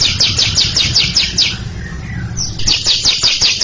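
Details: Greater green leafbird (cucak ijo) giving a long ngekek chattering song, ready to roll, in front of a younger bird: rapid series of bright, descending buzzy notes repeated about five times a second, a short pause, then the chatter resumes.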